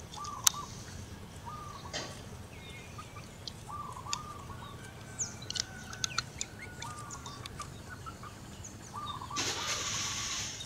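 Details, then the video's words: Local hen zebra dove summoning its mate with repeated rippling, trilled coos spaced every couple of seconds. Scattered clicks and sharp ticks sound between phrases, and a burst of broadband noise comes near the end. "suara perkutut betina lokal manggung panggil pasangannya"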